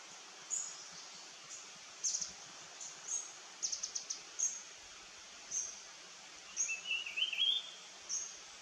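Verditer flycatcher gives very high, thin chips about once a second, then a brief rising, warbled phrase near the end, over a steady hiss of background noise.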